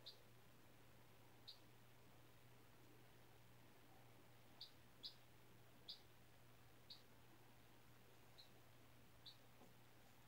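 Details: Baby chicken of four days, raised from a white egg hatched at school, indoors on new bedding: sparse high short peeps, roughly nine over ten seconds, clustered midway, above a steady low hum.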